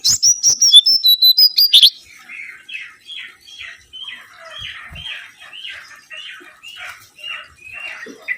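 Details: Mangrove whistler song for luring: a quick descending run of high whistles, then a long train of softer, lower slurred notes repeated about every half second.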